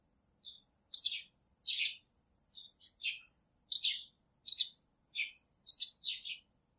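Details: Three pet budgerigars chirping: short, scratchy warbled chirps in loose bursts about every half second to a second, some rising and some falling, against an otherwise quiet background.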